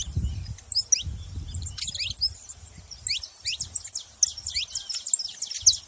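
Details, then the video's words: Saffron finch: scattered high, sharp chirps and short downslurred notes, some overlapping, with soft low thumping noise underneath in the first half. "canário da terra fazendo barulho"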